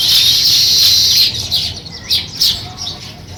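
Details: Sparrows starting to build a nest, chirping in a dense, high, continuous chorus for just over a second, then a few separate sharp chirps spaced irregularly as the sound drops away.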